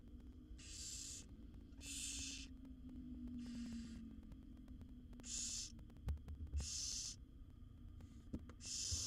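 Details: Begging from a brood of seven wild barn owl chicks as the mother delivers food in a nest box: six hissing screeches at uneven intervals, with a noticeable low droning hum and a few soft knocks underneath.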